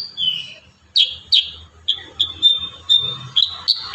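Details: Kurincang in a dense 'tembakan rapat' song: loud, high, buzzy downslurs and sustained whistled notes in fast succession, with faint low background noise.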